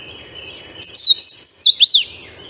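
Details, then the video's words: Swainson's warbler singing, the same single bird captured with a parabolic reflector so the song is bright and loud over a quiet background: a low opening note, then a run of about five quick slurred whistles rising and falling, ending in a descending slur. "so there you can hear that the warbler is really bright and loud and the background sound is really low and quiet"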